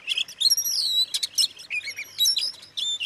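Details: Oriental magpie-robin song for provoking rival magpie-robins: long high drawn-out whistles, some falling in pitch, broken by short sharp notes and chatter.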